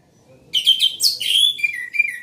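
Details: Orange-headed thrush singing loudly: a half-second of quiet, then a vigorous burst of rich, varied whistled and warbled phrases, notes slurring up and down and running together for nearly two seconds, with a faint low hum underneath.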